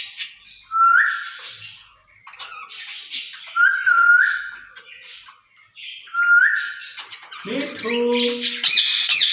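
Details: Two caged ringneck parrots talking to each other, speaking in Urdu or Hindi, give repeated rising whistles about every three seconds between harsh raspy chatter, with a nasal buzzy sound near the end.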